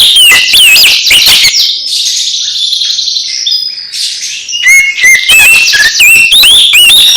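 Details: Oriental magpie-robin song played to get a quiet magpie-robin singing again: opening sharp whistles, then a long scratchy buzzing warble, ending in bright rising slurs and clicks.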